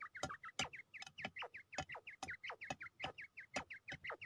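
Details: A Pakistani fighting quail, ready to fight, repeats short, bright, hooked chirps almost three times a second, with strong clicks and taps.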